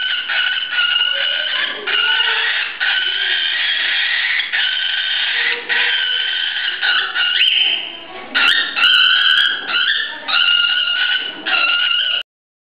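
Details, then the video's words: Adult cockatiel giving harsh, grating, raspy screeches in long unbroken bursts of one to two seconds, about eight in a row, the fear call adults give in a serious fight or when an untamed bird is grabbed. "Calopsitte (Nymphicus hollandicus): verso della lite e della paura"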